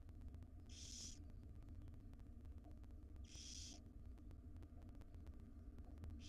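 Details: Barn owl nestlings, five wild young in a nest box, begging at breakfast time as the mother feeds them; three spaced, snoring hisses about two and a half seconds apart over constant low hum.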